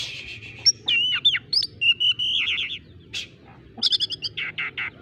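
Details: Caged Oriental magpie-robin singing a song that imitates a squirrel: loud whistled slurs, rapid buzzy trills and sharp repeated chip notes in quick bursts, separated by short pauses.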